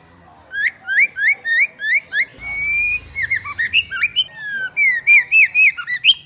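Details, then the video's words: Female white-rumped shama song used to fire up males: repeated quick rising whistles, a drawn-out steady whistle, then tumbling slurred and looped notes in quick succession, brief low rumble in between. "Chòe lửa mái kích bổi lên lửa cực sung/kích trống sung mãn hót cả ngày"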